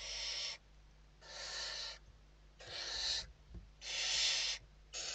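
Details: Nest interior in Spain, evening feeding of Western barn owls, November 2023: repeated breathy screeches about a second long, five bursts alternating with brief silence and a soft knock.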